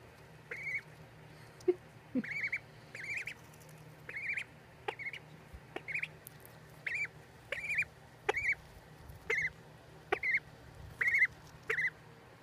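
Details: Young ducks peep steadily for twelve seconds, bright chirps roughly every half second to second, with scattered tapping clicks and a soft background hum.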